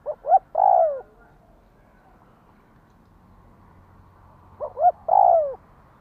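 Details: Spotted dove calling to stir up a decoy bird, giving two quick clipped notes and then a drawn-out descending coo, the whole phrase heard twice roughly four and a half seconds apart over a low steady background hum.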